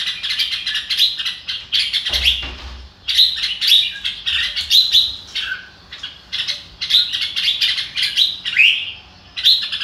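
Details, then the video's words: Red-whiskered bulbul chattering in fast, overlapping bursts of bright, liquid notes with short rising and falling whistles, nearly continuous. A single dull thump is heard early on. "chào mào ro kích bổi sung theo"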